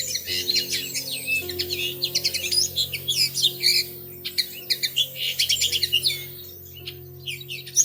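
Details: A pair of Bushtits nesting in a plum tree during early May: thin, high chips and sibilant twitters delivered in rapid strings, loudest mid-clip, with sustained low tones underneath.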